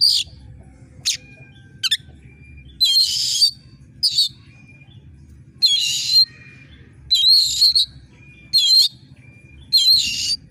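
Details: Oriental magpie-robin in full voice, sharp screeching used to rouse competition birds at the contest pole: harsh, broadband rasping bursts about half a second long, repeated roughly every one to one and a half seconds, with brief thin whistles between them.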